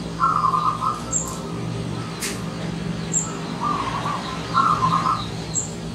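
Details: Visiting wild zebra dove delivering quavering, trilled coo phrases, three or four bursts over a few seconds, with a sharp click and high chirps from other birds behind.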